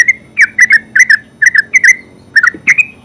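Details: Terucuk or yellow-vented bulbul in ngeropel song: loud bubbly chirps in close pairs, dipping in pitch, repeated rapidly at an even pace, with a faint low background murmur.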